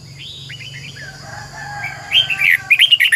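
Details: Red-whiskered bulbul singing as a training decoy: soft distant whistles over a low hum, then a loud run of rapid chirpy warbled notes filling the last second.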